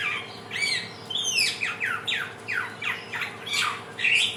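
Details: Samyong, or helmeted friarbird, a native bird of Nusa Tenggara, Indonesia, delivering trotolan-style song: rapid, evenly paced run of loud, downward-sweeping squawky notes, about three per second, over a faint constant hum.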